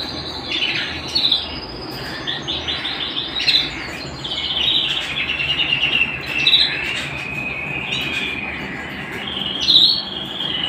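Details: Canary at home pouring out a lively song: rapid pulsed rolls, fast repeated chips and sliding whistles, shifting between high and middle pitches, with a bright peak near ten seconds.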